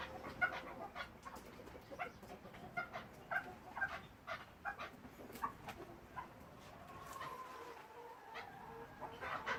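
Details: A pet chukar partridge gives short, clucking, chattering notes in irregular bursts over a low background hum.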